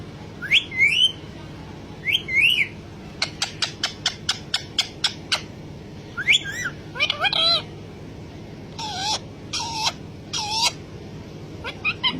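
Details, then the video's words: Chattering pet parrot in full mood: squeaky rising syllables, a fast series of about ten sharp clicks, then wavering speech-like calls and harsh bursts over a low steady hum. "mithu talking in full mood talking parrot"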